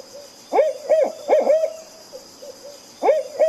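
An owl gives short, hollow hoots in quick bursts of two or three, each note briefly rising then falling, with a pause between bursts over a faint hiss.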